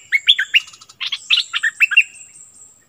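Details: A Streak-eared bulbul kept as a decoy bird, recorded 16 February 2021, sings a bubbly series of quick, slurred, warbling notes in two bursts, with a thin, steady high whine behind it.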